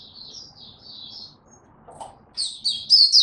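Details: Oriental white-eye giving tiong aw song, 25 January 2022, having slept late the night before: soft, thin warbled phrases first, then a sudden loud burst of sharp, high chirped notes.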